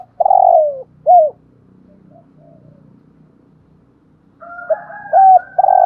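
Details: Decoy spotted dove in Vietnam, "giọng thổ" voice, giving a long falling coo and a short coo, then after a pause a new cooing phrase begins; a steady low hum runs underneath.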